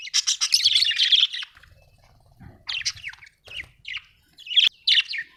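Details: Budgie chirping, a long rapid buzzy run at the start, then separate sharp squawks and chirps spaced apart, with a faint low rumble beneath.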